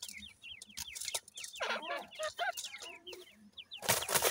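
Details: Young grey francolins in their parents' care give a string of high, falling cheeps at the start, followed by lower chuckling notes, then a harsh rustling burst at the end.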